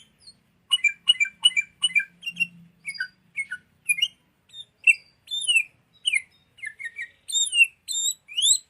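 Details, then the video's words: Training lure of sooty-headed bulbul song for songbirds: quick chirped notes in short bursts, then upslurred and downslurred whistles alongside high thin squeaks, with a faint low hum early on. "PIKAT SUARA BURUNG KUTILANG (MASTERAN)"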